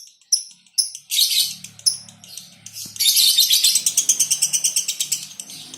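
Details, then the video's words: Lovebirds kept as a colony, including a female: short high chirps at first, then a long rapid chattering trill of harsh, buzzy notes repeated about twice a second. "Rawatan Love Bird Koloni ,konslet betina"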